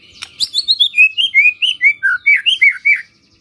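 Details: White-rumped shama singing a lure phrase to make other shamas respond. An unbroken, rapid sequence of varied chirping whistles first steps downward, then climbs again.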